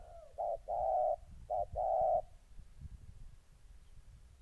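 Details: Spotted dove, a molting decoy bird meeting a combative wild dove in Gia Lai, Vietnam, on 14 August 2020: two loud paired phrases, a brief note then a long steady coo, then quiet with faint rumble.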